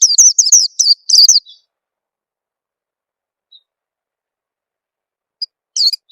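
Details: Oriental white-eye lure call aimed at getting young birds singing fast: a rapid run of about six high chirps opening the recording, a long silent pause, then a single chirp near the end.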